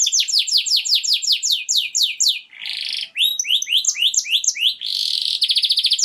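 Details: Canary singing strongly to stimulate mating: a long run of rapid downward-slurred chirps, a rasping buzz, looping sweeping notes, then a harsh buzz followed by a quick high trill, all clear and unbroken.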